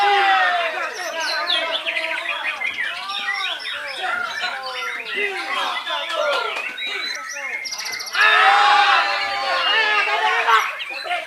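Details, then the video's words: White-rumped shama, a bird called the legend from Belitung Island, Indonesia, in full performance: dense, varied whistled and chattering phrases sliding up and down, getting louder and richer over the last three seconds. "MURAI BATU JABRIK MASIH MENYUGUKAN PERFORMA TERBAIK NYA"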